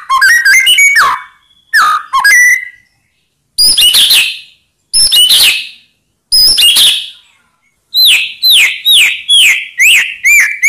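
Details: White-rumped shama song played to provoke rival birds into answering: rapid varied whistled phrases with falling slurs, then a run of about eight bright upswept notes, in bursts separated by short silences.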